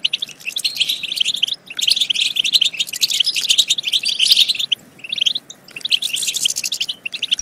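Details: European goldfinch singing, used to spur goldfinches to sing and breed; bursts of rapid tinkling twitter broken by short pauses near one and a half, five and five and a half seconds.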